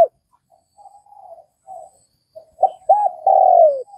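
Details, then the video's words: Spotted dove in Vietnam: faint hums build into a complete coo phrase of short arched notes followed by a strong, sliding-down long note, the recording otherwise quiet. "Tiếng cu gáy Việt"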